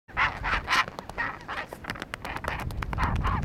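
Chinstrap penguins give harsh, braying squawks in quick bursts during a fight, with sharp clicking taps and wind noise underneath.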